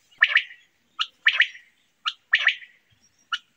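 A quail gives harsh, rasping calls in a steady pattern: a short sharp note followed by a longer, scratchy burst, about once a second. No other sounds.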